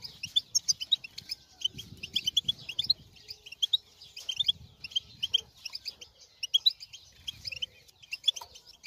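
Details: Lively goldfinch twitter played to set off another goldfinch: fast runs of sweet, jingling notes in short phrases with brief breaks, soft low thumps in the background.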